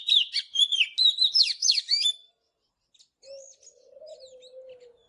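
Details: Oriental magpie-robin in morning song: about two seconds of fast, varied whistled notes sliding up and down, then a pause with scattered high chips and a steady low humming tone underneath.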